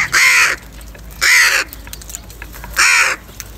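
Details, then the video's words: Crows fighting for food in the morning: three strong, harsh caws in quick series, each lasting about a third of a second, roughly one to one and a half seconds apart. "Crow bird live crowing sounds - Crow bird Fight for Food | Crow Foods Time In Morning & voices"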